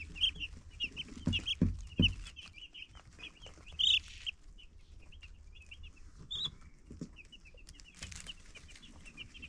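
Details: Baby chicks chirping: rapid high peeps in quick runs throughout, one louder peep standing out, with a few dull knocks and thumps early on.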